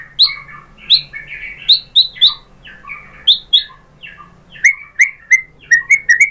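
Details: White-rumped shama, a lure recording meant to provoke a bird into singing with its fill material; varied whistled notes and short sweeping chirps, some dropping, others sharp and upward, spaced irregularly with brief pauses.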